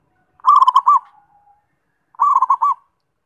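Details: Zebra dove singing two loud, quick phrases of bubbling, evenly pitched coos about a second and a half apart, each a short rapid run of rounded notes. The background is otherwise quiet.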